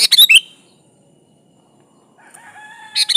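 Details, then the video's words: Lively sooty-headed bulbul song meant to call a rival: a quick burst of bubbly notes, a pause, a faint thin drawn-out whistle from another source, then another short chirpy phrase. "di Pancing Suara burung kutilang gacor ini Ampuh memanggil lawan"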